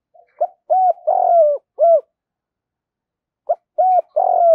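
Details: Spotted dove, male and female, cooing to rouse training birds: a quick stuttering series of mellow hooting notes, with one longer drawn-out descending coo in the middle, then a pause and the phrase starting again.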